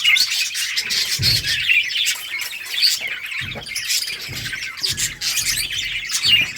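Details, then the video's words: A budgie colony in bright colours, playing and chirping on August 25, 2023; steady overlapping warbled chatter from many birds with occasional low knocks beneath. "budgies beautiful colors playing and chirping sounds for lonely birds"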